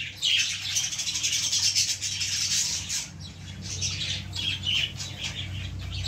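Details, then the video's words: Baby lovebirds among a plant give a steady stream of high, buzzy chirps and squeaky chatter, overlapping in dense bursts that swell around the first two seconds and again near the fifth, with a low background hum throughout. "baby love birds in plant l cute birds in plant l love birds sounds"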